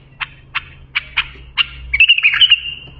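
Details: Bulbul singing as a tutor for young bulbuls: four spaced, sharp, clipped notes, then a quick, tumbling warbled phrase of rising and falling whistles, with a faint low hum beneath.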